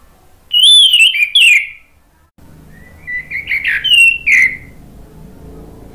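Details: Orange-headed thrush song played to prompt other birds to reply: loud whistled phrases with slurred, warbling notes around the upper-middle range, two bursts separated by a pause, low background hum in the second half.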